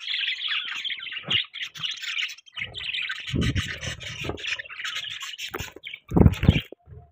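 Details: Budgies chirping at morning time, a steady stream of rasping, warbled chatter broken by loud low bumps and knocks.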